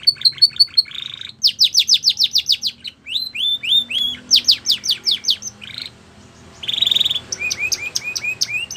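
A Belgian canary sings in quick runs of bright, high chirps and sweeping whistled trills, changing phrase every second or so, with one steady buzzy rattle.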